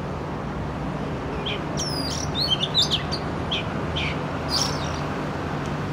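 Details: Oriental magpie-robin recorded in an urban setting with a Canon R6: a few short whistled and sweeping high notes in scattered phrases over steady low traffic-like rumble.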